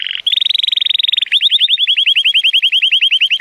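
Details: Powerful song of a Timbrado Español canary, male, born 2018, rated 83 points, on a sunny day. A fast metallic rattling roll gives way to a long series of evenly repeated arched notes, about seven per second.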